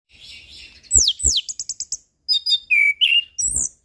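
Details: Orange-headed thrush, a settled singer used as a tutor for an untrained bird, gives a varied high song: a buzzy trill, sharp descending slurs, a quick stuttered series, then clear whistled notes rising and falling.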